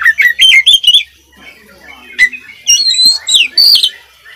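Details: Kacer (oriental magpie-robin) sings a vigorous isian passage: rapid bright whistled notes tumble together, pause briefly, then return as high sweeping slurs and squeaky chirps.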